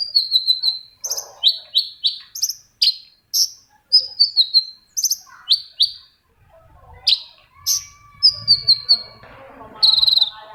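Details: Long-tailed shrike song as a lure for silent shrikes: clean series of high, falling whistles repeated in quick groups, with a brief lull and a faint low rustle near the end.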